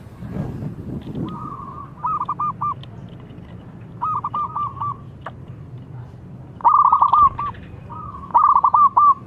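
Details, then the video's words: A young, big-voiced local zebra dove kept as a singing lure for other birds repeats short bubbling cooed phrases about every two seconds, the last two louder, against a faint low hum. "ANAK PERKUTUT LOKAL GACOR SUARA BESAR YANG COCOK BUAT PANCINGAN"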